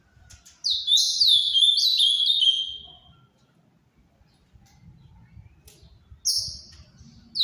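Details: Ultramarine grosbeak of the Paraná type, azulão do Paraná, delivering one rich phrase of sliding, slurred whistles that fall in pitch over about two seconds, then a pause and a single high sharp note near the end.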